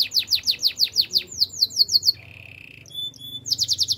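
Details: Canary training song: a rapid run of high descending whistled sweeps, about six per second, breaks into a lower buzzy trill, then thin pure notes, before the fast sweeps return.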